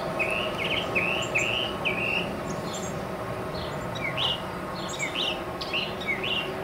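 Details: Northern mockingbird singing atop a tall mesquite tree in central Arizona, a varied run of short chirped and slurred phrases, some rising, others falling, under a steady background hum and insect noise.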